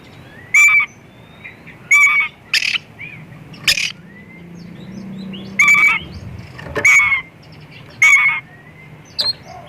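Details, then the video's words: White-rumped shama song used to lure other shamas into singing: loud, short bursts of whistled and harsh notes repeated roughly every one to two seconds, each with bright ringing overtones, over a faint low background hum. "Kacer gacor full isian pancingan burung Kacer"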